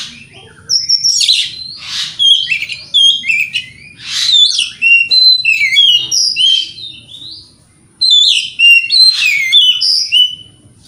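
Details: Energetic morning singing of an Oriental magpie-robin, a lure to make rival birds answer: dense, varied phrases of loud whistles, trills and rasping notes, with a short silence near the middle; a faint high steady tone persists.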